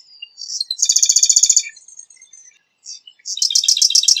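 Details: Marsh wren song: a thin rising whistle-like lead-in, then a fast rattling trill of evenly repeated buzzy notes, softer chattering, and another dense rattle starting at the end.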